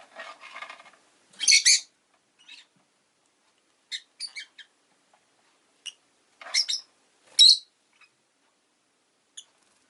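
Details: Pet rosy-faced lovebirds kept indoors, with two new birds recently joining the household: harsh, shrill chirps and squawks in short bursts near 1.5, 4, 6.5 and 7.5 seconds, opening with a raspy grating chatter, quiet pauses between.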